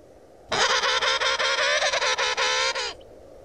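A penguin gives a loud, harsh, braying call of rapid nasal pulses lasting over two seconds.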